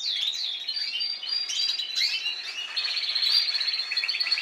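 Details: Spanish timbrado canary singing, last season's bird with this season's young practising song: rippling rolled phrases and quick chirps blending into a long continuous trill.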